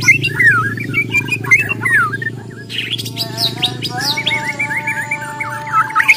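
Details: White-rumped shama, Borneo type, in fighting song. Looping, warbled whistled phrases and wavering trills run over a low rumbling background noise and a faint steady hum.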